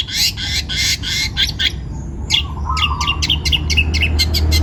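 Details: Young wild-caught long-tailed shrike utters loud harsh rasping bursts, then a short buzzy trill and a quick series of scratchy clicks while a low steady hum builds in the background.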